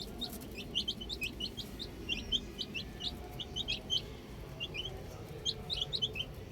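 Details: Baby chicks outdoors, chirping in short high peeps, many scattered overlapping notes, some rising or falling, over steady low background rumble.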